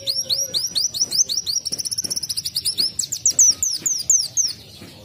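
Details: Canary-imitating kenarian song from a sunbird (kolibri wulung): steady series of high hooked whistles, then a fast twittering trill, ending in louder, spaced down-slurred whistled notes.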